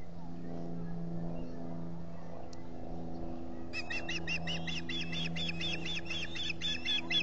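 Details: Osprey at the Salt Point nest in the Finger Lakes, three birds at the nest in July, a quick burst of many whistled chirps starting partway through, over a steady mechanical hum.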